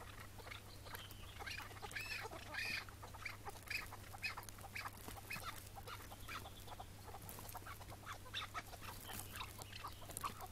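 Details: Chukar partridge calling on a May 2017 morning during a partridge hunt; scattered harsh, raspy higher notes in irregular bursts, with rustling and a steady low hum beneath.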